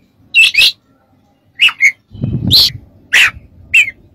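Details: Training song of an Oriental magpie-robin: paired harsh chattering notes, short bright whistles, and one rough burst mixed with a low rumble, all spaced by short pauses.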